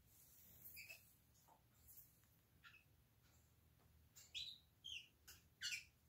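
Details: Senegal parrots, ten of them kept indoors in an office turned into a crowded bird room, give a loose series of short whistled chirps and squeaky, rising calls that grow louder toward the end, over a faint steady room hum.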